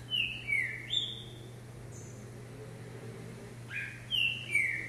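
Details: Green-winged saltator on a hopping perch, trained for vigour: two bright whistled phrases of falling, slurred notes, each of three or four syllables, separated by a pause, over a steady low hum.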